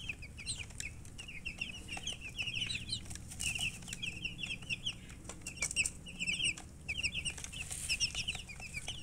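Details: Just-born chicken chicks peeping loudly in quick high downslurred notes, bunched in runs, mixed with frequent sharp taps and scuffling sounds.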